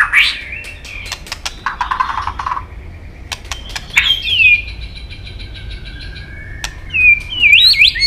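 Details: White-rumped shama in competition singing with tail flicking: sparse song of sharp clicks, a short buzzy burst, then long thin whistles and a rising, looping whistled phrase near the end, with quiet gaps between.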